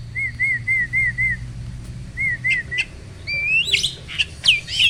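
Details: Black-winged starling, a caged bird, in song used as training material for birds that sing little: a run of even, clear whistled notes around two per second, then short chirps and sharp rising and falling whistles, with a low background hum.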